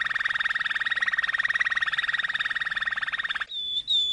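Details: Malinois canary singing a long, even rolling trill of rapid pulses for about three and a half seconds, then breaking into a pure, high whistled note with a brief slur.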